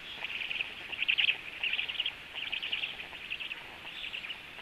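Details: Black stork female feeding storklets with frogs at the nest; dense, grating high chatter swells loudest early on, then continues in softer pulsing bursts against faint hiss.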